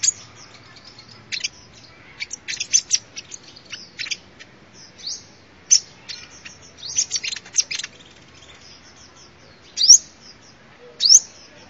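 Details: Sunbird song offered as a lure recording: scattered bursts of thin, very high chips and short twittering runs, separated by pauses, with a few sharp rising whistles near the end.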